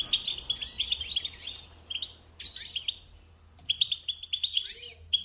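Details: A European goldfinch sings for training young birds, in short bursts of quick twittering chirps separated by brief quieter gaps, with a pure whistled note near the middle and a faint low hum.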